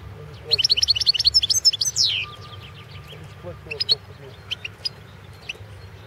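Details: European goldfinch, subspecies balcanica, competition song recorded in 2016 for a world goldfinch song championship held online by a Serbian breeding association: rapid jingling twitter ending in a downward slur, followed by scattered sharp single notes.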